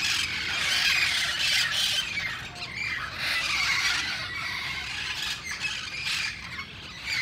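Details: A flock of wild parrots in Sherman Oaks, San Fernando Valley, screeches and squawks almost without pause, rough overlapping cries rising and falling in loudness for over seven seconds.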